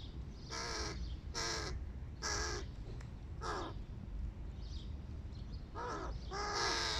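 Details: Giant hooded crow fledglings begging during breakfast: a series of hoarse, slightly bending caws spaced about a second apart, ending in a longer quavering call, against a constant low hum.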